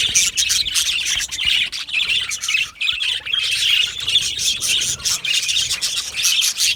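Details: Yellow male budgerigars giving continuous chirping: busy, scratchy warbles and squawky chirps from several birds at once, an unbroken wall of chatter.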